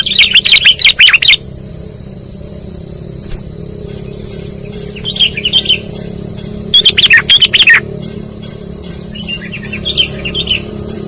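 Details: Lure call of the sooty-headed bulbul for trapping: two loud bursts of quick chirping notes, separated by a quieter gap with softer, distant-sounding chirps, all over a persistent thin electronic whine.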